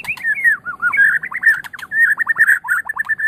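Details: White-rumped shama song used to train other songbirds: a rapid, varied chatter of looping whistled notes, dense and continuous, with quick slurred phrases and short clicks over a quiet background.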